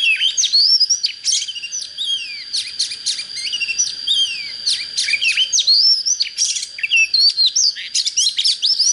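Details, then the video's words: Oriental magpie-robin, a young bird just coming into breeding condition, singing with a good standard voice: a rich, fast run of varied whistles, sweeping up and down notes, and sharp chips, nearly continuous, over a steady thin high tone. "Chích chòe than mộc CHỚM LỬA || có chất GIỌNG CHUẨN"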